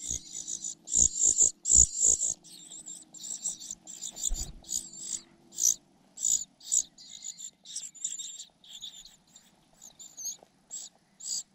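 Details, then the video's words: Foster-reared parasitic cuckoo chick, frustrated at missing food and attacking its foster mother, gives a rapid series of piercing, hissy squeaks. Loudest early, then softer and more broken, with a faint low hum and a few taps. "Cuckoo bird can't grab food, attacking mother bird寄生的杜鹃鸟屡次抢不到食物，气急败坏，对着养母一顿啄"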